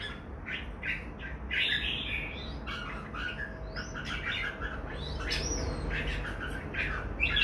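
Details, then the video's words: Two red-whiskered bulbuls singing lively, warbling phrases: clustered chirps, quick rising and falling whistles and a few slurred upward notes, with continuous low rumbling background noise. "Merbah jambul"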